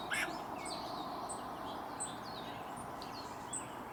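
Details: A male hummingbird perched in a tree in the Sierra foothills of California on a hot summer day gives thin, very high chips and squeaky twitters, said to be courtship song, about every half second to second, over outdoor hiss.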